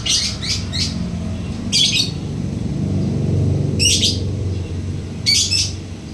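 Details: Lovebird giving short bursts of harsh, high chirps in four separated clusters, over a steady low rumble like passing traffic.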